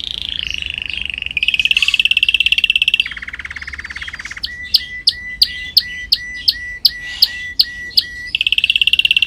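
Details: Singing canary on a training recording: a high buzzy roll, a lower sustained roll, then a series of sharp, evenly spaced chips each ending in a short low note, then a rolled trill again.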